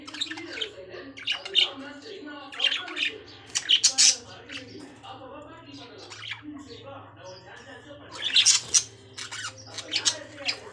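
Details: Lovebirds squawking loudly in harsh, high chirping bursts, then a calmer stretch of softer chatter midway before shrill calls return, with a low hum beneath.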